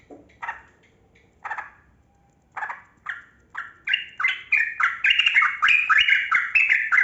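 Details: Yellow-vented bulbul, known locally as trucukan kebo, in a long continuous 'ropel panjang' song played to coax lazy bulbuls into singing; widely spaced bubbly notes quicken into dense, rapid, warbling phrases.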